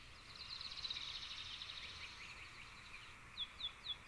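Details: Adelaide's warbler, native to Puerto Rico, singing a faint, rapid high trill for about two seconds, then three separate downslurred whistled notes near the end, against a steady background hiss.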